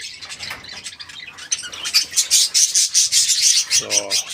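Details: A small group of caged parakeets, 14 January 2025, building from soft twittering into loud rapid chirping pulses, with a short lower buzzy note near the end.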